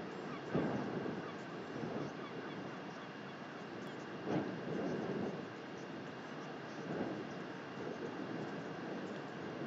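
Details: Northern royal albatross in New Zealand, 10 March 2021, gives hoarse, braying honks, three low bursts a few seconds apart, over steady wind rush.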